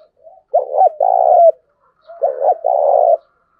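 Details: Spotted dove calling to rouse decoy doves: two close phrases, each a bubbling double note running into a long, even, hollow coo, preceded by faint soft notes.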